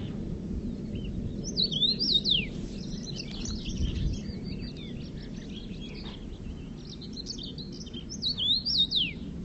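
Common redpoll giving two bursts of high, quick zigzagging twitter notes, with scattered thin chips between, over a steady low rumble.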